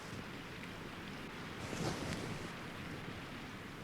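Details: Gusting wind and surf-like rushing noise fill the recording, with a brief louder swell near the middle and no animal voice.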